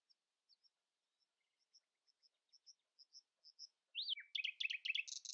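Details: Common nightingale singing in the early morning, not letting rivals sing louder: quiet high notes growing louder and closer together, then a rising whistle and a loud burst of rapid buzzy trills.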